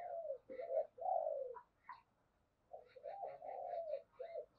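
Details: Spotted dove decoy bird, used to lure wild doves, giving two phrases of low, hoarse coos, the second longer and rolling, with faint higher chirps alongside and a quiet background.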